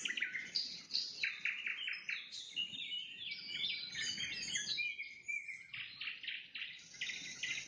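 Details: Nightingale singing at sunset: rapid, varied phrases of bright trills and repeated sharp notes, with short stuttering series and brief pauses between bursts, over a faint low background hum.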